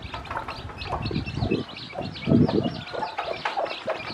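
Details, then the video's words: A hen with her newly hatched brood, teaching the chicks to eat, gives low muffled clucks amid rustling. Many high chick peeps overlap above. "A Hen Hatched Many Chicks From Eggs And Teach Baby Chicks To Eat"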